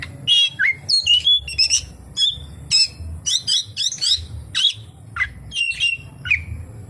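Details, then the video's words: Oriental magpie-robin delivering a song loaded with kapas tembak mimicry, a lively chain of short, sharp chirps and twisting whistles repeated in quick bursts over a low background hum. "SUARA BURUNG KACER, FULL ISIAN KAPASTEMBAK"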